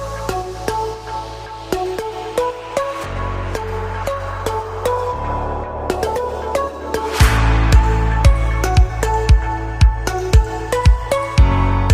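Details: Electronic dance music with a heavy bass line and a steady beat plays throughout, and no animal sound is heard.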